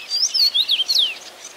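A common rosefinch gives a short phrase of clear, slurred whistles that rise and fall, lasting just over a second, over faint background hiss.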